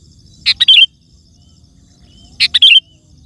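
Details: Two matching bubbly phrases from a loudly singing sooty-headed bulbul, about two seconds apart, each a quick cluster of liquid notes ending in a downward slur; used to attract wild birds and prompt other bulbuls to answer.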